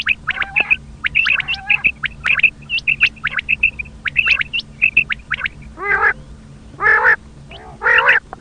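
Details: Common quail call, used by hunters as a lure: rapid short high chirps in irregular clusters, with several louder nasal, harmonic squawking bursts near the end.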